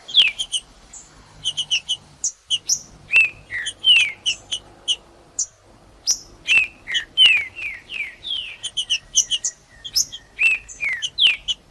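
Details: A 'cold' green-winged saltator singing to warm up other birds: high sharp chipping notes at first, then a run of strong downslurred whistles repeated almost every half second, with clipped chips scattered between phrases.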